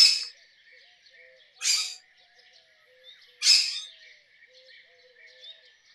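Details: Rose-ringed parakeet giving three loud, harsh screeches spaced nearly two seconds apart, with soft chirping from other birds in between.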